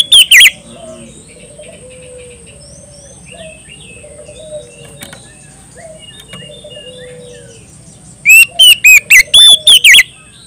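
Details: Oriental magpie-robin singing boldly to call a rival. A brief whistle opens, then a long stretch of faint background chirping from other birds. It ends with a rapid, loud flurry of about eight ringing, swooping whistled notes.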